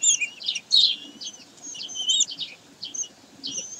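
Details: Common kestrels recorded at Sägeweg, 22 May 2023, giving bursts of piercing high notes and drawn-out wavering whines, short gaps between the bursts.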